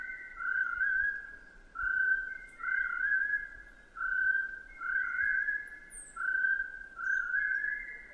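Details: Chestnut-breasted partridge (Arborophila mandellii), a species that calls throughout the day, most in the first hours, possibly again in late afternoon and even after sunset. Clear, mid-pitched whistled phrases repeat steadily about once a second in swelling bouts, with faint high chirps behind.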